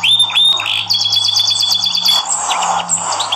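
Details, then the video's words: Training song of a Yorkshire canary meant for teaching other canaries: dense rapid rolls and trilled tours, one shifting to a higher pitched roll near the end, over a faint constant hum. "Yorkshire Canary Singing Vol.1 -ONE OF THE BEST CANARY TRAINING SOUND"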